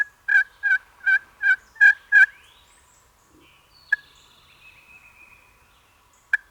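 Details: A wild turkey longbeard gobbles on Easter weekend in spring turkey season in Alabama, early morning from the roost: a fast, throaty run of six rattling notes over about two seconds; thin songbird whistles and sharp clicks follow.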